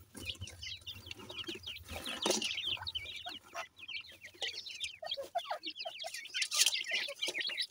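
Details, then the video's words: Feeding partridge chicks (teetar) keep up a chorus of short, high, upslurred peeps, several birds at once, with a burst of rustling noise and occasional hard clicks of pecking. "baby partridge in a feeding"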